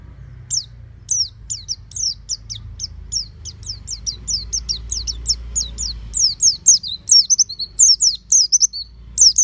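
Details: Oriental white-eye kept at home, coached toward open-beaked 'ngeplong' singing: thin high notes begin spaced out, then speed into a busy, chattering run of sharp downslurs; a low rumble persists throughout.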